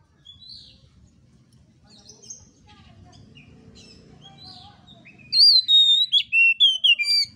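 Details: Oriental magpie-robin song for luring young kacer into full voice: faint scattered chirps over a low rumble, then a loud burst of pure, sliding whistles repeated in quick succession for about two seconds at the end.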